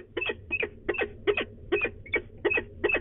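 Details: Grumbling female peregrine falcon at De Mortel in the Netherlands, 24 March 2020, morning, just before departing; rapid rasping double notes, roughly eight bursts in three seconds, fairly regular, with a faint low background hum.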